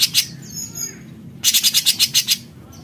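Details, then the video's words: Cucak cungkok bulbul singing in besetan style: a brief harsh note, a gap with faint whistles, then one fast rattling burst of about nine clipped, buzzy pulses. "Besetan Cucak Cungkok Gacor"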